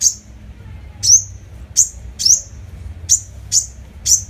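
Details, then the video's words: Sunbird, known locally as hút mật 5 màu, in a lure recording: sharp, very high chirps, each a short downward-sweeping tick, given singly and in quick pairs over a quiet low hum. "Tiếng hút mật 5 màu mồi, file tiếng hút mật 5 màu- Sunbird sound"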